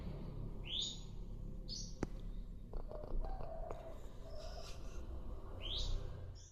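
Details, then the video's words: Sikatan londo, a flycatcher, active and singing: short bright upswept whistles repeated every second or so, with soft chirps and faint low background noise. "burung sikatan Londo asik aktif"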